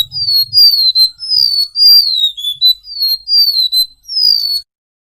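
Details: Golden-bellied gerygone singing vigorously, recorded to teach caged birds. About ten quick, high whistled notes, each gliding slightly downward, follow in a steady chain. Brief low rumble at the start, then silence.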